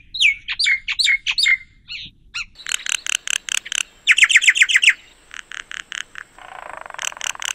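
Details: Common myna (Acridotheres tristis) song: a varied medley of sharp chirps, clicks and descending whistled notes in quick bursts, with a grating, buzzy note near the end.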